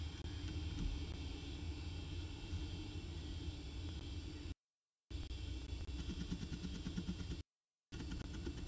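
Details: Steady low rumble of road traffic and engines fills the scene, broken by two short silent gaps, with no animal calls heard.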